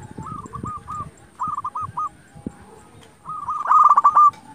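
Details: Local zebra dove singing actively, used as a lure to provoke rival doves into answering: rapid stuttering coos in short bursts, then a louder, denser rolling phrase near the end, over low rumbling background noise.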